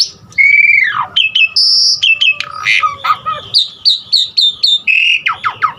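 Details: Varied filler song of an Asian pied starling, meant to prompt other starlings to sing: a downslurred whistle, a high steady tone, then clipped chirps and repeated bright whistled notes ending in falling slurs.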